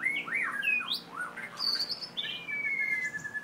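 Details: White-rumped shama from Merapoh, Pahang, four years old, long-tailed and very aggressive, singing clear looping whistles that leap up and down, then a high sustained note and a long, slowly falling whistle.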